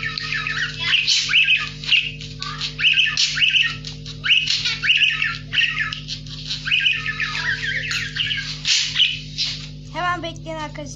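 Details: A pet budgerigar talks, chattering in a fast, scratchy warble of mimicked speech over a steady low hum.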